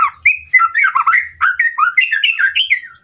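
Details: Murai batu, the white-rumped shama, with a rival-provoking song: quick chattering run of varied whistled and slurred notes, loud and continuous, with soft low thumps beneath.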